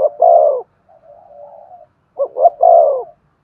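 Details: Spotted dove giving a stimulating coo to make another dove sing. A long rounded coo, a soft murmured stretch, then two clipped notes leading into another full coo.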